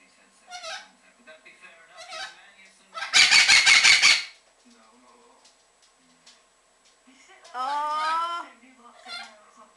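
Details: An orange-winged Amazon parrot having a little rant chatters softly, then lets out a harsh, grating screech lasting about a second, followed later by a drawn-out, wavering squawk in a small room.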